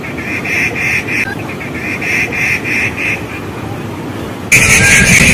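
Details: Rufous treepie, a new visitor on a fig tree, calls in a rapid even series of grating, nasal notes, roughly three or four a second. The series stops, then a sudden loud burst of noise follows.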